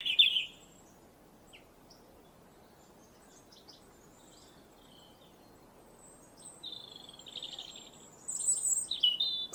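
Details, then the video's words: A robin singing around bird feeders gives a short high warbled burst, then after a pause a run of thin, rapid, high twittering phrases, over a faint steady hiss. "sounds of the birds robin"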